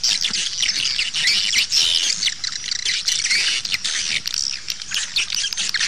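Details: Swiftlet calls for outdoor playback that draws birds toward nest houses: a dense, continuous mass of high, twittering chirps and squeaky trills from many birds overlapping throughout, with no pauses.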